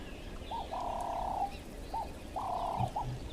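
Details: Ring-necked dove at an African waterhole, likely Kruger, 26 September 2025, gives its rhythmic three-part coo, short, long drawn, short clipped, twice over low rumble; a golden-tailed woodpecker squawks nearby.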